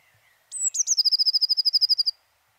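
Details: Eurasian blue tit (Cyanistes caeruleus), garden bird of France: a very high, thin introductory note sliding down into a fast, even trill of about fifteen notes, all over in under two seconds.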